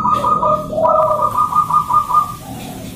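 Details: Morning song of a local zebra dove used as a lure and training song: a fast string of pulsed, higher whistled notes with a brief lower coo partway through, over a soft hum.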